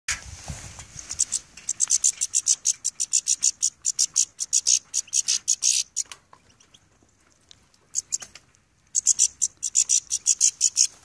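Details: Goldfinch described as angry, giving rapid runs of thin, high, scratchy notes in dense bursts, with a quiet gap of about three seconds before the calling resumes.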